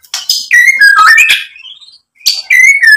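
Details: White-rumped shama, a provoking recording: sliding whistles and harsh notes, a rising thin whistle, a short silence, then another whistled phrase.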